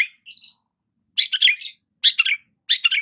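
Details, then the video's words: Long-tailed shrike singing while sunbathing in the morning: a short buzzy high phrase, then three harsh scratchy chattering bursts spaced under a second apart, each a quick cluster of rasping notes, against a silent background. "KICAUAN BURUNG CENDET SAAT BERJEMUR DI PAGI HARI"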